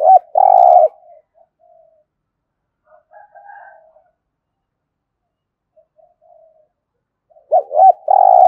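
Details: A spotted dove in Đồng Nai coos in competition style. A loud phrase of looping notes and a long, buzzy coo opens and closes the stretch, with faint, softer coos in the quiet gap between.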